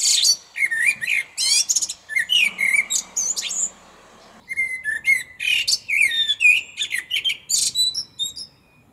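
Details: Common blackbird singing at close range from a small tree in a parking lot around lunchtime: repeated fluty warbles each capped by thin squeaky trills, with a short pause midway and a faint low hum behind.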